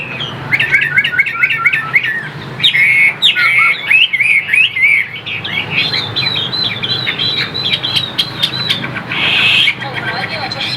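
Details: Chinese hwamei kept in a cage as a sought-after songbird, pouring out bright, rapid whistled phrases that swoop up and down, strings of repeated notes broken by short gaps, with a steady low hum behind.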